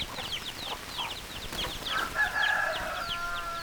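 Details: Chickens calling: a run of quick, high, descending peeps, then a longer harmonic, drawn-out crow-like call rising in the middle of the clip, while the peeping continues behind it.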